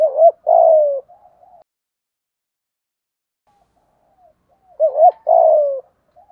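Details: Spotted dove used as a decoy, calling to draw in wild doves: two separate low cooing phrases about five seconds apart, each a quick double hoot then a drawn-out falling coo with a soft tail, silence between.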